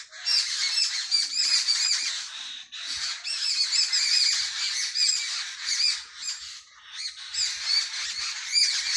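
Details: Morning chorus of sparrows in a village, dense bursts of high chattering chirps from many birds, easing off in a short lull midway before resuming.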